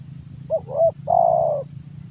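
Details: Spotted dove male sings a single phrase: two quick bent, rising notes followed by a drawn-out, even, slightly vibrating coo, over steady low hum.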